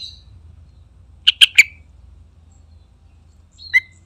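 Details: Yellow-vented bulbul, known locally as trucukan, gives a quick series of three loud, chattering notes, then falls silent before a single sharp note near the end. A faint low hum runs underneath.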